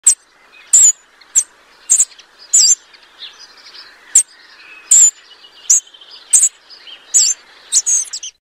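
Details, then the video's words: Spotted flycatcher (Muscicapa striata), British summer migrant, giving very high, thin, squeaky notes, a dozen or so at irregular intervals under a second apart; faint songs of other birds chatter in the background. "Spotted Flycatcher Sound"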